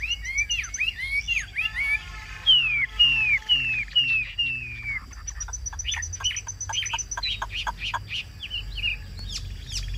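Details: Caged Chinese hwamei in good voice: a varied sequence of rising whistled notes, a series of clear descending slurs repeated five times, then quick sharp clicks and chirps.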